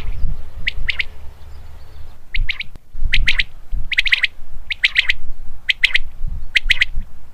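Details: Common quail calling naturally: sharp three-note phrases repeated about every second, each note a quick bright clipped burst, over a steady low rumble of background noise.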